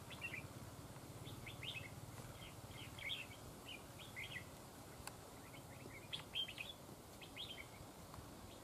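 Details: Red-whiskered bulbuls at a fighting trap, one chasing and fighting a rival outside; bursts of short, bright chirps and warbled notes tumble on almost continuously over a hiss of outdoor background noise, with a few faint clicks.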